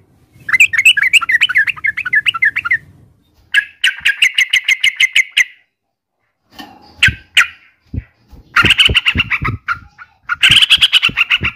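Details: Yellow-vented bulbul (Pycnonotus goiavier) giving fast bubbling runs of notes and bursts of rapid sharp chips, with a pause midway and some dull knocking thumps underneath toward the end.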